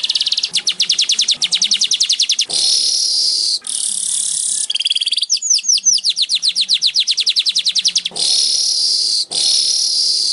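Baya weaver song: fast runs of dry, clicking ticks broken by long, harsh, wheezy hissing buzzes, repeated over and over at a high pitch.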